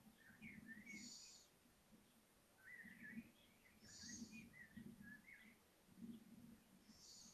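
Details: Five young little owls venturing out onto a balcony give short, high, breathy hisses and thin squeaky chirps at irregular intervals, over soft low thumps and bumps.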